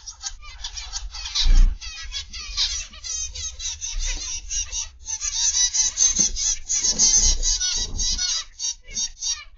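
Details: Captive zebra finches in an aviary, 29 November 2021, PM: dense overlapping nasal honks and twangy chatter from many birds, with a loud low thump near the start.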